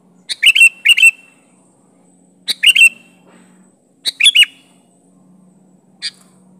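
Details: Sooty-headed bulbul calling to challenge and pressure a rival, without mimicry: a pair of lively chirped phrases, then two more bursts of three or four sharp notes with a dropping slur, and one short closing chirp.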